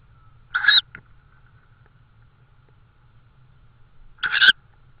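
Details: Tawny owl calling in Estonia on 16 May 2013, evening, during prey deliveries; two short, grating screeches about three and a half seconds apart, with a brief click after the first and a quiet steady tone underneath.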